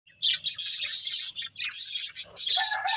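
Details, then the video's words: Budgerigars eating green food, a dense stream of bright, scratchy high chirps and warbles in overlapping bursts with brief pauses, several birds calling together. "Beautiful Budgies Enjoying Eating Green Food | Love Birds Chirping Sounds"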